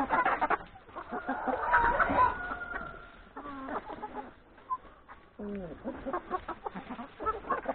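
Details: Farmyard chickens, hens plus three roosters, at breakfast before forest grazing; a loud harsh cackle early on, then bright, rising and falling clucks and short squawks scattered throughout.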